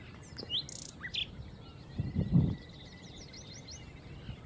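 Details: Common nightingale singing in Castricum, the Netherlands. A loud, very high buzzy burst and sharp notes open the phrase, then fainter high twitters follow, with a low thumping noise partway through.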